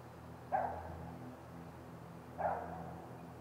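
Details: At a great gray owl nest, a pair of short, bark-like calls less than two seconds apart rise above a low, droning hum.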